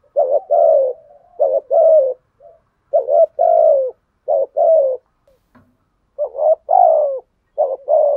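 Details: Spotted dove lure bird giving repeated cooing phrases in the thúc gù and gáy gọi style: quick doubled throbbing coos followed by a longer descending coo, phrases about every one to two seconds, with a faint click.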